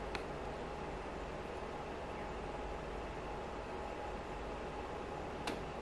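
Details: A steady fan-like hum with a faint constant tone runs throughout, marked by a sharp click at the start and another near the end.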